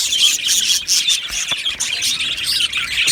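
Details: Budgie colony in an aviary, Australian budgerigars singing and chirping: fast, uneven chatter of high scratchy notes and chirps from many birds, filling every moment.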